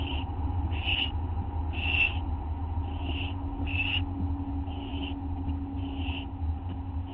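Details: Barn owl young begging while fed at dawn on August 15, 2011, with three owlets in the brood; eight short, raspy hissing screeches at uneven intervals of around a second, over a steady low mechanical hum.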